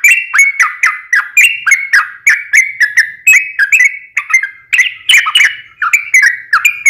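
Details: Trucukan (yellow-vented bulbul) delivering fighting-style long rolling song meant to spur another bird to reply: rapid, bubbling whistled phrases of varying pitch, chained almost without pause, bright clicks on top.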